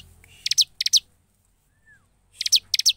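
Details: Ciblek, or bar-winged prinia, in gacor singing style, delivering two quick pairs of piercing, descending chip notes, then a near-silent gap with one soft thin slur, then two more paired bursts.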